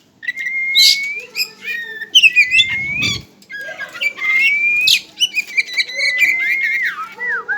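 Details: Caged pet Oriental magpie-robin, togar type, giving long level whistles and upslurred notes mixed with quick chips and harsh squeaks, with a brief rustling thud midway.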